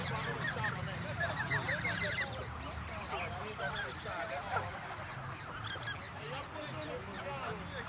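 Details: Feeding time in the countryside for over a hundred geese: a fast run of bright honks early on, then continuous overlapping chatter from the flock.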